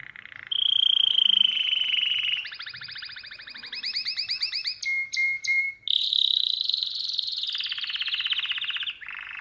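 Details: A domestic canary sings a continuous high song of fast rolling trills and clear whistled passages, phrases shifting every second or two with barely a pause; a recording used to teach young birds to sing.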